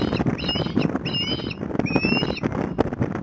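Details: Osprey at Port Lincoln, Australia, on 26 January 2021, returning to the nest with a fish; short, harmonic, whistled chirps in quick bursts, some rising slightly, over steady low rumbling noise.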